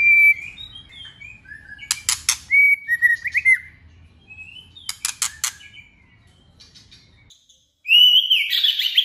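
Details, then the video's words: Female white-rumped shama sings in a wild, forest-style voice, mixing clear whistled slurs with buzzy, rattling clusters. A short pause follows, then a loud, dense warbled phrase. "tiếng chòe lửa mái rừng hót hay kích trống hót"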